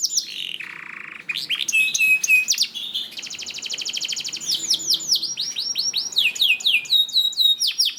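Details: Canary singing as a prompt for other canaries: a low buzzy note, short clear whistles, a long rapid rattle, then runs of repeated descending sweeps.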